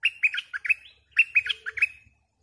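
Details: Lively bulbul song from a decoy bird: two fast, chattering phrases of about seven bubbly, warbled notes each, delivered back to back.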